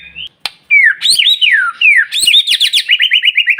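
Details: Morning White-rumped shama song to set other birds singing: descending whistled slurs, then a fast string of short, evenly repeated high notes speeding along like a trill.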